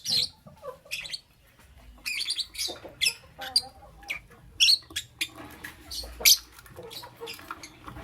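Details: Harsh lovebird chirps in the morning: irregular, piercing squeaks and rasping notes, roughly half a minute's worth of bursts packed into a few seconds of lively chatter.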